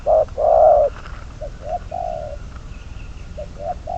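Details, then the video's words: Spotted dove used as a trapping decoy gives one loud short-long coo pair, followed by softer, quieter coos. "Bẫy cu gáy mồi, con số 22, cuckoo trap, bird number 22 !"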